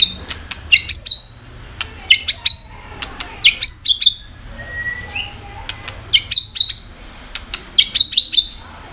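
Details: White-rumped shama singing with repeated 'tạch' clicks to provoke other birds: high bright whistled phrases mixed with sharp clicks recur in bursts about every one to two seconds, with a soft low whistle between.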